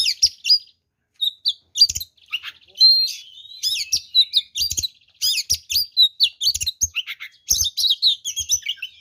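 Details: Oriental magpie-robin singing a full, varied fighting song meant to provoke other magpie-robins into anger; rapid mixed phrases of whistles, chirps and harsh buzzy notes in bursts with short pauses.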